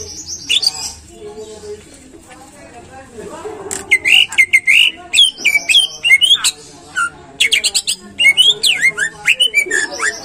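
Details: Greater green leafbird bait song to encourage leafbirds to sing: quiet start, then a dense, lively run of sharp chirps, twisting whistles and rapid trills repeated in tight bursts.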